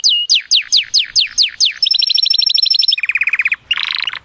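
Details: Excited canary song to stimulate the female for mating: quick descending whistled slurs repeated about six times, a rapid high trill, a lower rolling trill, and a closing buzzy phrase.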